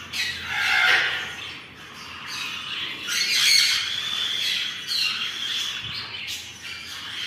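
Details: Mini macaws feeding each other; harsh, broad squawks come in irregular bursts roughly every second, some louder and rasping, with short quieter gaps between them.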